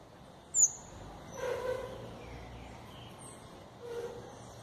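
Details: A yellow tanager gives one sharp, very high chip that drops quickly. A few softer nasal notes and thin high squeaks follow over a steady outdoor hiss.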